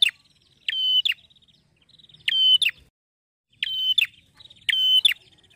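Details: Male Bar-winged Prinia singing contentedly in a loud, clear ngeplonk style: soft ticking lead-ins, then strong ringing buzzy notes ending in a sharp snap. There are four phrases, spaced unevenly.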